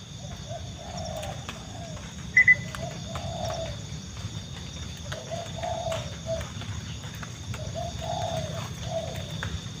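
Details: Zebra dove heard in fog near farmers' fields during a trapping survey: soft, rolling phrases of quick staccato coos, repeated every second or two, over a low rumbling background with one brief sharp chirp.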